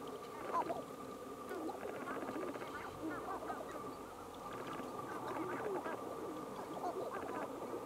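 Sharp-tailed grouse calling in a busy chorus of overlapping clucks, cackles and low cooing notes, with a steady mid-pitched hum underneath.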